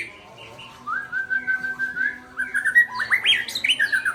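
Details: White-rumped shama, called murai Aceh, delivering a strong song: a long steady whistle, then rapid stepped notes climbing and dropping in quick succession, growing louder toward the end.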